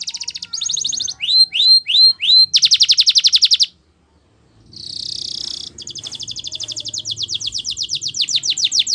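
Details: Canary singing a training song: buzzy trills, four upswept whistles, a dense rapid rattle, a brief silence, a hissing note, then a long accelerating trill that grows louder.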